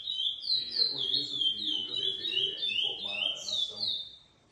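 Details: Captive-bred Lesser seed finch of GP and Coimbra lineage whistles a fast ringing phrase of downslurred notes, with a sharper high note near the end and soft background voices.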